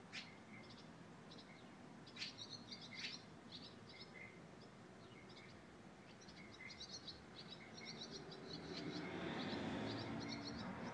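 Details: Purple martins reconnoitering a former nest site beneath a front entryway, May 28, 2012; rapid bursts of thin chirps and twittering repeat steadily, with background noise swelling louder toward the end.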